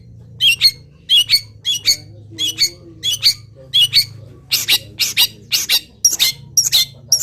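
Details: Long-tailed shrike, a local bird, singing steadily through its moult, its song packed with wild bird imitations; rapid scratchy chattering notes about two per second, growing denser and harsher in the second half over a low hum.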